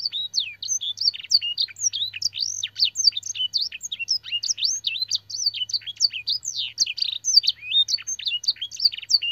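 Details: Fancy canary singing a training song rich in blackthroat and sanger phrases, clear-voiced and nonstop: dense, fast sequences of sharp up-and-down whistled notes and quick trills running without pause, over a soft low hum.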